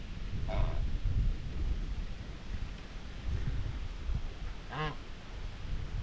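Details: White Chinese geese, a domestic flock on a homestead farm, grazing, bathing and keeping up social talk with each other: two short nasal honks with stacked overtones, one early and one late, over a steady low rumble.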